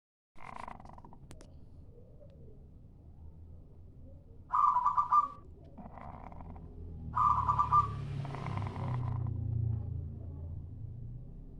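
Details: Local zebra dove lure call: two bursts of rapid, stuttering coo notes near the middle of the range, each about half a second long, with a low background hum and some clicks.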